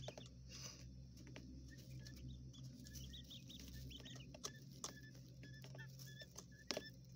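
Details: Quail chicks of the coturnix type raised indoors in a hotel room give short, thin chirps in small clusters, with clicks and taps of movement in the enclosure and a persistent low hum.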